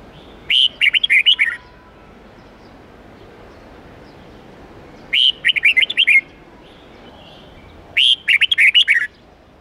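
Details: Red-whiskered bulbul song used to train young birds, in the forest style with 8-9-10 notes: three quick bursts of about seven bright, bubbling whistled notes, one burst roughly every three and a half seconds, over a steady low hiss.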